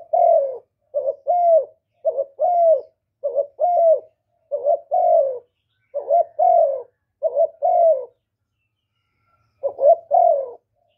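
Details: Cooing spotted dove, kept to stimulate new birds: nine hoarse two-note phrases in rapid sequence, each a short lead note and a falling coo, evenly spaced about a second apart, then a brief pause before one more.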